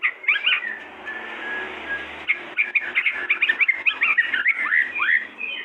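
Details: A pair of white-rumped shamas singing, a run of loud varied whistled and chattering phrases with quick rising and falling notes, dense and continuous after a quieter opening with a faint steady hum.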